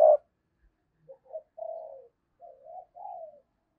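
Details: Decoy spotted dove giving 'thúc' and 'gáy gọi' calling to stir up wild doves: one short loud coo, then three soft, low purring coo phrases after a pause, in otherwise quiet surroundings.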